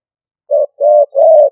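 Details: A single stuttering coo phrase from a decoy spotted dove: one brief low note, then two longer, fuller coos, soft and hollow, in silence.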